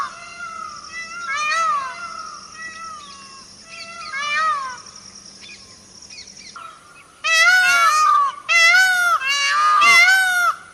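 Indian peafowl giving loud, nasal, cat-like wailing cries that bend up and down, in quieter pairs at first, then rapid, strident bursts, over a faint steady hum.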